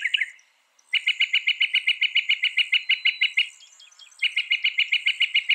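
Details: Northern mockingbird delivering loud, fast song: a long rapid series of identical clipped notes, nearly four per second, then a brief pause and the same rattling series resumes.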